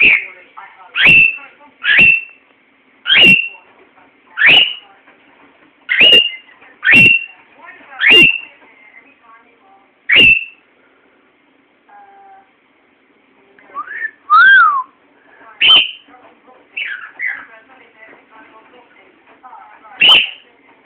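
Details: A male pet cockatiel gives his morning calls, loud, shrill, slurred calls about every second, then a few varied whistled notes, while his owner tries to coax a wolf whistle.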